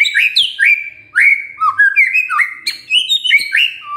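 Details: Varied whistled song of a white-rumped shama as a lure for a lazy male: loud sweeping rising and falling whistles, short trills and sharp high chips delivered in quick phrases.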